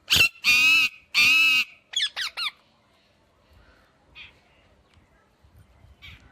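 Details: Ringneck parakeet giving three long, loud, harsh squawks rich in harmonics, followed by three quick sharp chirps, then fainter distant calls over a quiet background.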